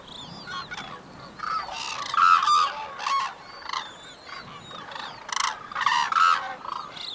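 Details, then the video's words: Male and female white-naped cranes in courtship, calling to each other in the unison call: fast high short notes from her, longer lower pulsed sounds from him. Dense, loud trumpeting honks tumble over one another almost continuously, with thin whistles above. "White-naped Cranes Call to Each Other in Impressive Courtship Behavior"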